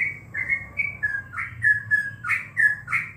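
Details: A caged yellow-vented bulbul kept for bird contests sings at home during the corona period: clear fluty slurred whistles, some rising, some falling, in a quick uneven run over a soft low rumble.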